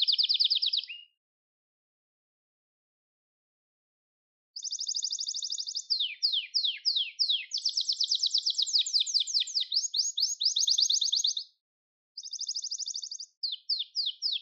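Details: Gloster canary song for training: a short high trill, several seconds of silence, then rolling trills, fast downward sweeps and dense chattering rolls, separated by short pauses.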